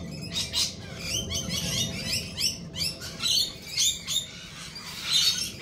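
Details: Lorikeets chatter in quick, high, rasping notes repeated roughly twice a second, with a steady low hum behind.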